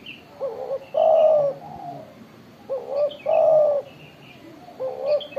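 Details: Spotted dove (Spilopelia chinensis) with a loud, big voice, cooing: deep, hoarse coos in two- or three-part phrases repeating about every two seconds, with faint high chirps from other birds behind.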